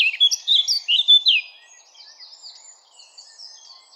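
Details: Eurasian blackcap giving a loud run of clear varied whistled and warbled notes for about a second and a half, trailing off into faint distant twittering.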